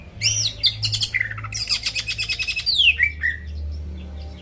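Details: Lively greater green leafbird song meant to rouse rival birds: sharp down-slurred whistles, a fast buzzy rattling series, and loud descending sweeps, with a faint low hum underneath.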